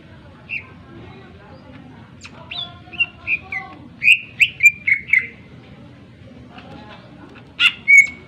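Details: Greater green leafbird, a sharp full-voiced singer used as a lure to excite other birds, giving scattered whistled phrases, a cluster of rich slurred notes, then a loud harsh burst and a clear whistle.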